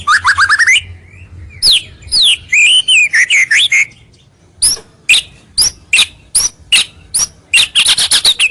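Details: Lure song of a white-rumped shama meant to bring rivals close: rapid rising whistles, varied slurred phrases, then a series of separate sharp high notes about twice a second, ending in a dense burst.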